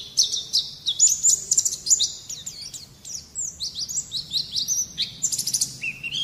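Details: White-eye song on a recording to coax young birds into song; rapid high chattering, whistled swoops and a fast buzzy trill toward the end, all in a dense, lively stream.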